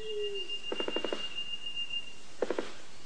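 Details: Male Black Sicklebill (Epimachus fastosus) making non-vocal knocking, bill closed, during courtship display at his display perch: two rapid dry bursts, six knocks then three, like distant machine-gun fire, over a thin steady high tone.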